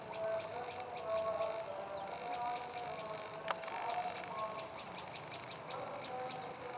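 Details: Fast rhythmic chipping from a prenjak lumut tailorbird, high clipped notes in quick regular sequences with a few descending whistled slurs and a single sharp click, over persistent background hum.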